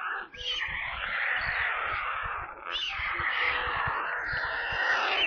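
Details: Hungry stork chicks in a nest near Kaluga, central Russia, recorded by a live nest camera, scream continuously with harsh, hoarse, wheezing cries that rise and fall without pause, and with faint low thumps beneath.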